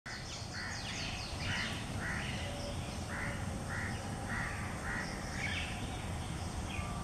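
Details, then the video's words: In a garden, a coppersmith barbet repeats a hollow, mid-pitched tuk note about twice a second, with scratchy notes from other birds and a steady low background rumble. "Video clip of copper smith barbet"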